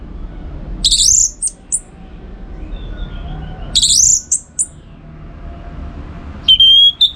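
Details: Orange-headed thrush song from northern Bali, played to train contest birds: two matching bursts of high twittering whistles several seconds apart, then a clear steady whistled phrase.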